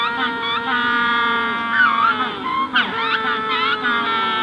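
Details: Close calls of adult Magellanic penguins at hatching time in the colony: loud, drawn-out harmonic brays with sliding, bending tones and a sharp broken squawk midway, over a faint background of more distant penguins.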